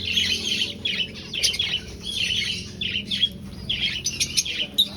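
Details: Caged finches in a breeding aviary colony give clusters of bright, rapid chirps, short nasal notes repeating in quick bursts from more than one bird.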